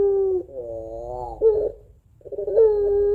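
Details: Puter pelung dove giving its long crying coo style used to lure other doves: steady low tone, then a wavering warbled section and a short burst, a pause, and the level tone resumes.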